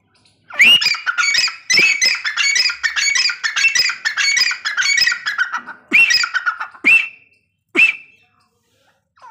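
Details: Grey francolin calling, a sound used to attract the birds for hunting; loud harsh repeated notes in a rapid rhythmic series, about two per second, then a pause and three separate sharp notes at the end.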